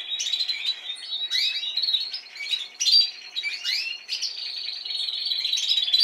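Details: Caged Spanish timbrado canary from last season singing, steady high rolling trills broken by quick rising and falling sweeps, the phrases running together almost without pause.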